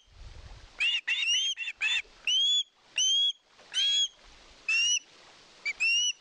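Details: Osprey begging for fish at a nest in Satakunta, Finland, recorded by a live nest camera in 2022: loud, clear, high whistled notes, several rising and upslurred, given singly or in short bursts about every half second to second.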